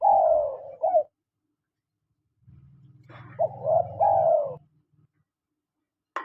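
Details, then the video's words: Spotted doves, male and female, giving their calls: mellow low cooing notes in short grouped phrases, slightly falling, with a low rumbling noise between phrases. "SUARA PANGGILAN TEKUKUR JANTAN DAN TEKUKUR BETINA"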